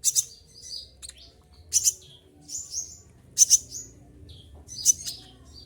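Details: Olive-backed sunbird singing while moulting, all feathers dropped yet steadily vocal; rapid, very high, penetrating chirps and squeaky twitters in separate bursts roughly every one and a half seconds over faint low hum.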